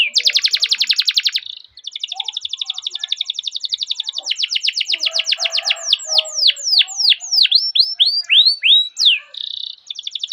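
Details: Canary giving a long rolling song used as a master recording to lure and train other canaries: a fast dense buzzy trill, then a steady rapid trill breaking into repeated loud downslurred whistles, ending on another brief trill.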